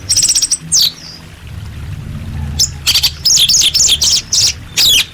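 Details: Orange-headed thrush training song: rapid runs of very high, clipped notes and buzzy trills, roughly two notes a second, broken by a brief pause, over faint low hum.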